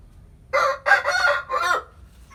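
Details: Rooster crowing in the morning in a Vietnamese countryside hometown: one loud, hoarse cock-a-doodle-doo in four joined bursts over about a second and a half, the last one falling, with quiet background.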